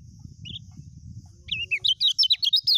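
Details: Lemon-bellied white-eye (kecial kuning) singing in the fast, continuous 'ngejos' style. A lone high chirp is followed by a burst of rapid, sharp, high twittering notes, about ten in quick succession, over a faint steady whine and low rumble.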